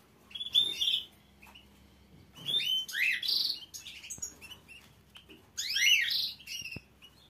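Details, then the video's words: Green canary song of varied rolling trills and swooping whistled phrases, with bright chirps and a few sharp clicks between louder bursts. "canary | green canary"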